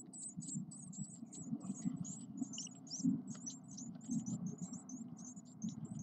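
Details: A brood of ten Eurasian blue tit chicks aged nine days gives short, very high, thin squeaky begging notes in quick bursts of two or three, repeated several times a second, over low muffled background noise.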